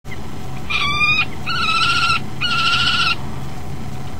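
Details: ['Male common kestrel calling for his mate at the nest, recorded by nest camera. Three drawn-out, harmonic whining calls, each about half a second long, over a steady low electrical hum.']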